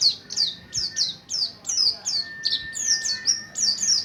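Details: Mountain white-eye of the Buxtoni type practising the ngalas ngerol song style, used as a lure for other white-eyes: rapid, high, downslurred chirps about three per second, with a faint steady whistle-like tone behind.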